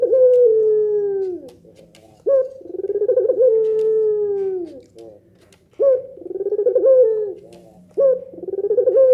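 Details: Repeated pelung nangguk coos from a Barbary dove, a style said to make other doves answer: four deep phrases, each with a rapid pulsed roll and a drawn-out falling note, at intervals of about two seconds.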